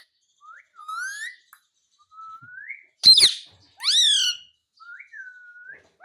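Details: Talking ringneck parrot, said to say "mummy": soft rising whistles, then a loud harsh burst and a run of sharp descending chevron squawks, followed by more short rising whistled notes in a quiet room.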